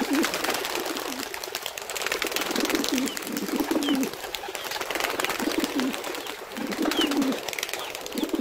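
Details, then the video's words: Wild pigeons in nature giving low, soft cooing phrases, repeated several times, set against a steady hiss of broadband background noise with faint higher chirps. "صوت الحمام البري الهديل"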